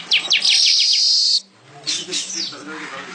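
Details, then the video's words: Weaver (manyar) in lively, vigorous song: a burst of rapid descending chirps runs into a sustained high buzzy trill for over a second, then a pause and further scattered sharp chirps and sweeps, with faint low background sounds. "#MANYAR #GACOR Buat masteran burung kicau juga boleh."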